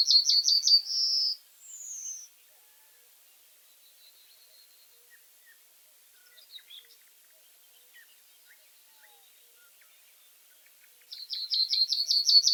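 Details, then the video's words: Common reed bunting singing twice, far apart. A fast burst of high repeated notes closes on a buzzy note and a thin falling whistle. After about nine seconds of near silence with faint ticks, another rapid series of notes begins. "Как поёт Тростниковая овсянка (Emberiza schoeniclus)"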